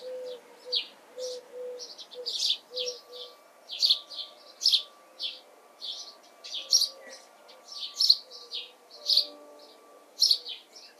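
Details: House sparrow in June, a steady run of loud, harsh chirps repeated about twice a second, with soft low cooing notes underneath and a faint steady hum.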